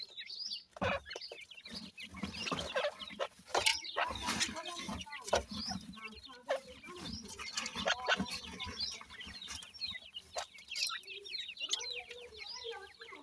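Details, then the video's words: Dakhni teetar and bhura teetar francolin chicks feeding: soft clucks and thin high chirps mixed with many sharp clicking taps, continuous through the recording with brief louder bursts. "dakhni teetar baby khurak, bhura teetar chicks feeding"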